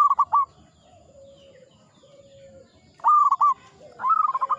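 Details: Vigorously singing local zebra dove in the Mataram ngepat rhythm. It gives clipped, stuttering coo phrases, pauses while a low, steady coo from another dove is heard, then resumes with a faster run of notes.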